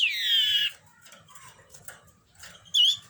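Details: Common iora in breeding condition: a loud, clear whistled note of about half a second that slides downward, a quiet pause, then a second short whistled note, with faint background noise.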